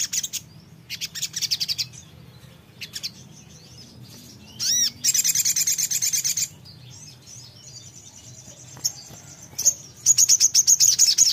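A songbird gives bursts of very high, thin chirps and buzzy trills, with fast repeated notes and short pauses between phrases. Faint low rumble underneath.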